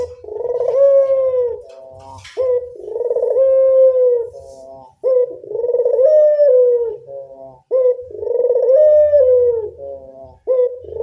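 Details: Local puter dove, a lure call: drawn-out, slightly rising then falling hollow coos about three seconds long, repeated steadily with short breaks, plus a faint low hum underneath.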